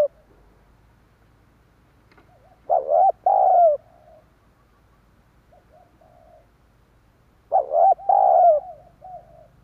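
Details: Decoy cooing of a spotted dove, played to attract wild doves. Two loud, husky, multi-note coo phrases arrive about five seconds apart, each trailing into softer, hollow notes, over a clean background.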